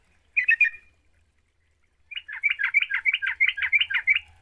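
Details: Singing lure of a yellow-vented bulbul for a bird reluctant to sing: a short chattering burst, a pause of over a second, then a quick series of about a dozen looping, warbled notes.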